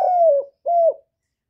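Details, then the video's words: Two long, steady, hollow coos from a spotted dove whose calls are used to lure other doves; the first note is longer, and each ends with a brief upward flick. "Chim Cu Gáy Liên Tục, Gáy Gọi, Thúc, Gù, Bo, đảo giọng kích bổi hiệu quả. cu đất gáy, cu cườm gáy"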